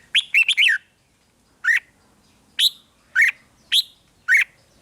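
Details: Red-whiskered bulbul song played to excite caged birds: short bright warbled phrases, a quick run of four notes then single whistled bursts about every half second, rising and falling, over a quiet background.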